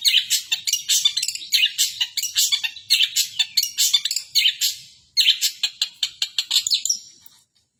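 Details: Long-tailed shrike imitating a 'kapas tembak' bird: bursts of quick, scratchy chirps and rasping notes, a short break, then more chirps fading out.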